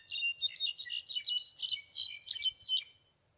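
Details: A kept pet European goldfinch sings a quick, tinkling run of high twittering notes and liquid trills, lasting about three seconds with no other sounds.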